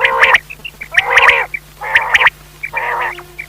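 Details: Quail calling at night: rough, nasal bursts about once a second, each with sharp, higher clicks on top, over a faint steady hum.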